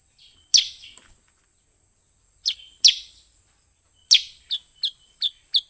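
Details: Sooty-headed bulbul call played to lure wild birds: loud, sharp chirps at irregular gaps, ending in a rapid series of four short chirps, with a steady high hiss throughout.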